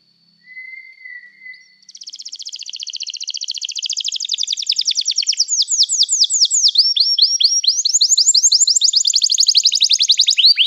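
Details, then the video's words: Canary singing a long rolling song: a brief whistled note, then fast, even trills of high chirps that shift pitch in several sections, growing louder and continuing without pause. "toque imediatamente este encantador som de canário"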